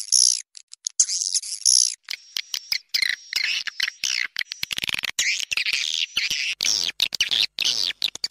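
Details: Mixed swiftlet calling sound, a blended lure recording for attracting swiftlets; chopped high buzzy chattering and twittering with abrupt cuts and gaps, some lower rasping bursts.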